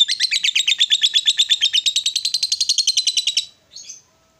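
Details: Female fighter lovebird in extended ngekek chatter, sung to provoke rival birds: fast, steady pulses of shrill buzzy notes for about three and a half seconds, ending with one short squeak.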